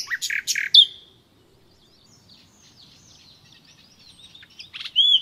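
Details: Nightingale giving a few loud harsh notes and a clear whistle, then a long pause with only faint distant twittering, closing with more sharp notes and a whistle.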